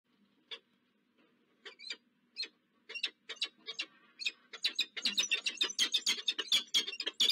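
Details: Peregrine falcon pair meeting at a city nest site on Josefstrasse, Zurich, Switzerland, 22 October 2024, filmed by a falcon camera: sharp, scratchy chips spaced out at first, then quickening into a dense, excited chattering run.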